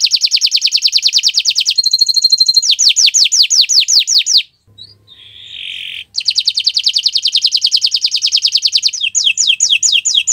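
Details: Canary singing on a Friday morning: long rapid trills alternating with clipped descending sweeps and a short metallic rattle, interrupted by a soft nasal buzz and a brief low hum before the trills resume.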